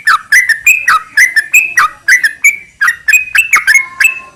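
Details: A vocal yellow-vented bulbul's 'ropel' song, used as a lure so other bulbuls sing in reply: irregular bursts of liquid whistled notes, some rising and some dipping, with brief gaps.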